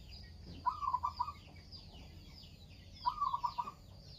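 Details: Zebra dove of local stock singing steadily: a pair of quick, trilled cooing phrases, each about half a second long, roughly two and a half seconds apart, with light high-pitched chirping in the background.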